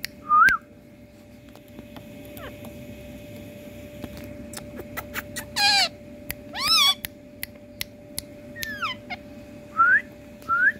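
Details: Indian parrot calling in India: short rising whistled notes near the start and end, with louder harsh, harmonic squawks in the middle, scattered clicks and a steady low hum behind.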